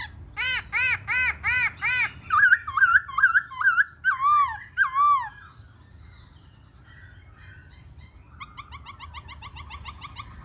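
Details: Black-throated laughingthrush in full song: loud arched whistles repeated about twice a second, then quick looping slurred phrases, a quiet pause, and a fast high chatter to close.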